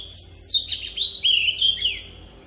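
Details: Oriental magpie-robin used as a lure bird, singing in a forest-style voice: a flowing run of clear high whistles, sliding up and down and linked into one phrase, fading at the end.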